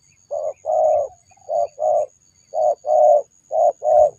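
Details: Spotted dove cooing in paired phrases, a short note then a longer, level note, with each pair repeating roughly once a second. A faint, steady high whine runs throughout.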